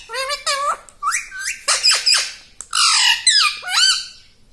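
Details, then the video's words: Pet parrot chatting away with "Mummy" and "Papa": a string of loud, rich, harmonic speech-like syllables, some rising and some sliding downward, with brief pauses between. "Mittu Bolne Wala Tota || Talking Parrot"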